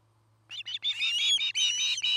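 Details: Osprey at a nest cam in Charlo, Montana, where a pair is building a new nest near a Great Horned Owl family; a run of high, sharp chirping notes begins after a brief quiet and grows more continuous, over a low steady hum.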